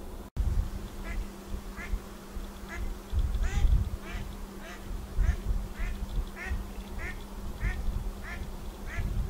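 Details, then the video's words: Pacific black duck with ducklings: a long series of short, harmonic calls repeated about once a second over steady low background rumble and a constant hum. "Pacific Black Duck call"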